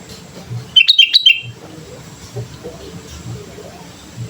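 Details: Sooty-headed bulbul in lively song, used as a lure for training birds: a single half-second burst of bubbly, slurred chirps rising and falling, with soft low background noise before and after.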